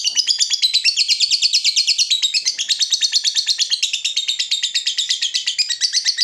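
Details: A lovebird's extended ngekek, played to attract and teach other lovebirds: steady high-pitched chattering made of rapid, evenly pulsed buzzy syllables, nearly three per second, with no pauses throughout.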